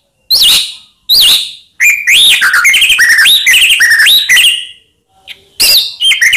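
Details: White-rumped shama song used as a provoking lure: two clear separated whistled notes, then a long flowing phrase of rising and falling melodious whistles, ending in a few more sharp notes.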